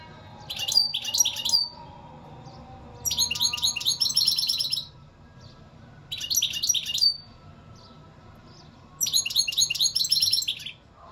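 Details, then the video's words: European goldfinch singing in four bursts spaced about three seconds apart, each a fast, jangling run of high twittering notes and buzzy trills lasting one to two seconds. "اقوا واجمل تغريد حسون"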